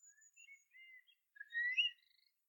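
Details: Faint Eurasian curlew song from Ireland: scattered soft slurred whistles, then a louder rising whistle with a higher overtone near the end.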